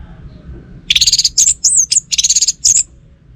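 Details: Orange-headed thrush singing: a quick burst of loud, high, ringing notes, first a rapid run of short chips, then slurred whistled phrases and another fast series, in a quiet setting with faint low background hum.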